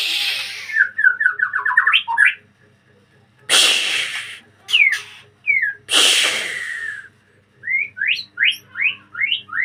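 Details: A breeding-cage white-rumped shama in full voice begins with a fast descending series of whistled notes. Loud scratchy rasps follow, then a string of sharp upslurred whistles.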